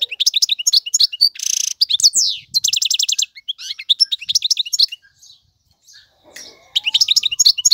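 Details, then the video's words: Male European goldfinch, a song model for young birds: lively tinkling twitters mixed with a rasping buzz and rapid trills, a quiet stretch with faint sounds, then twittering resumes. "اقوى تغاريد الحسون, مقنين فحل لتعليم الفراخ"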